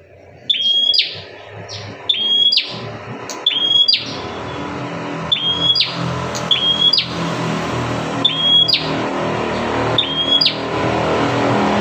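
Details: Fierce bar-winged prinia whose call is used to lure other prinias: sharp, high, flat-then-dropping notes repeated every one to two seconds, over a rumbling engine and traffic noise.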